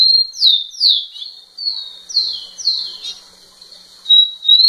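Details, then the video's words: Rufous-collared sparrow male singing right at a female, giving a phrase of two falling slurred whistles, a steady held whistle, then two more descending slurs, repeated with brief pauses and no other sounds. "Tico tico cantando muito na cara da fêmea"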